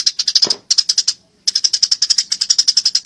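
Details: Eurasian tree sparrow in a fight, clearly recorded for training songbirds: dense chattering of sharp high chirps, about seven per second, broken by one brief pause.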